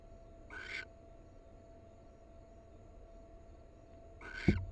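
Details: Wild barn owl of a pair. Two short hoarse hissing screeches several seconds apart, the second joined by a sharp knock, over a steady low background hum.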